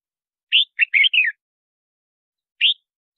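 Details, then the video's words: Red-whiskered bulbul song used to lure wild birds and train singing: a quick phrase of four bright, warbling notes around mid-high pitch, then a single clipped note after a pause, over silence. "Tiếng Chào Mào Hót Gọi Bổi Mới Nhất"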